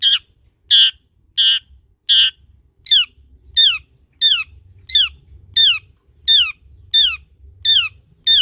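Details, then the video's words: Long-tailed shrike, called cendet, used as a lure to prompt lazy shrikes to sing: loud, harsh, buzzy notes falling in pitch, repeated steadily about once every 0.7 seconds, thirteen in all, with a faint low hum behind. "Suara Cendet PASTOL GACOR || Pancingan Cendet Malas BUNYII || Burung Cendet GACOR"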